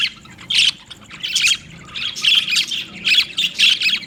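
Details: Budgies giving loud, harsh squawks about once a second, grating bursts rising over soft background chatter, louder in the second half.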